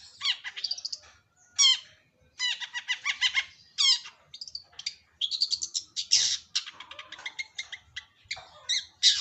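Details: A long-tailed shrike delivers quick, squeaky whistled phrases and harsh chattering bursts, some notes sliding downward, in irregular clusters about a second long.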